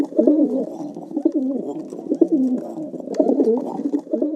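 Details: Pigeon cooing: low, soft, rolling coos repeated about once a second, with a throaty bubbling quality, recorded in a small, enclosed-sounding space.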